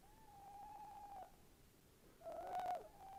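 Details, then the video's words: Tawny owl recorded on 11 January 2026: a long, level hoot, then a short silence, then a louder quavering, wavering hoot that trails into another steady note. The recording is faint and quiet. "Tawny owl"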